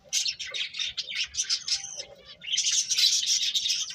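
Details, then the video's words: Rapid high chirps from birds, a busy run of squeaky notes, a short lull, then a loud, dense chattering burst. "Cute Birds Chirping Sounds"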